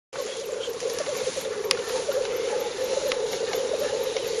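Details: Black grouse at a lek in northern Finland on 30 April 2011, filmed from 50 to 70 metres with a superzoom camera: continuous low bubbling chorus of many birds, with occasional sharp hissing bursts over it.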